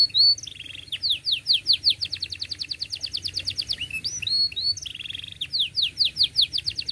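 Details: Canary song for young canaries learning to sing: dense runs of fast downward-swept chirps, several per second, interrupted by short buzzy trills and high whistled notes, repeated throughout.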